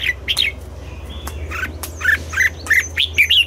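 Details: Singing red-whiskered bulbul in the morning in double-note wild style, with quick chirped notes repeated about three times a second and a softer, busier stretch in the middle.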